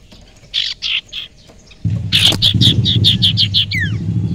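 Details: Young wild common iora used as a lure: three soft buzzy notes, then a fast run of about ten sharp, evenly spaced chipping notes ending in a falling whistle, with low rumbling background noise.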